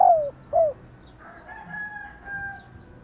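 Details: Female spotted dove calling to set males cooing: two loud downslurred coo notes open, followed by a faint, long-held rooster crow in the background.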